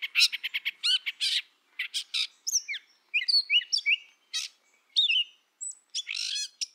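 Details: Gray catbird song, a mimid borrowing notes from neighbouring birds and often singing from the back of brushy tangles: a rambling, jumbled run of squeaky, scratchy phrases, quick chips and slurred whistles, each snippet different, in bursts.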